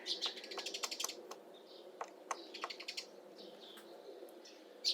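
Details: Female Syrian woodpecker slowly carving a nest hole in an old apple tree in mid April: a run of sharp, dry wooden taps at uneven intervals, thinning out after a few seconds, with other songbirds chirping in the background.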